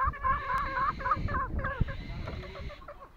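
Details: Green junglefowl from Lombok giving a quick run of harsh, clucking, fowl-like notes, several short bursts in close succession, then a softer, more broken stretch of calling as it fades toward the end.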